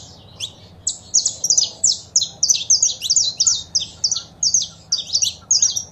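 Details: Saffron finch recording of female calls with a male singing, meant to encourage a caged bird to sing: a rapid series of high, clipped chirps, roughly three per second, each a sharp downward-slurred note, steady low hum behind.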